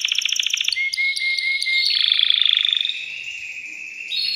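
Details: Caged male canary singing to excite a female for mating; quick trill gives way to a thin steady whistle, then a long rolling buzzy trill and a higher closing note.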